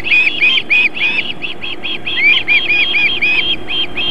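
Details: Wild osprey female feeding her chicks at a nest in Võrumaa, South Estonia, at 19:51 on 31 July 2021. Continuous fast, piercing whistled chirps, each slightly slurred, repeated several times per second with small gaps.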